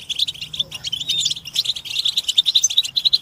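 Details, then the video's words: European goldfinch group calling, used to get captive males singing: fast high chirps, roughly two per second in clusters, blending into a continuous bright twitter. "بتبتة الحسون تحفيز الحسون على التغريد والهيجان علاج صمت الحسون goldfinch stimulation"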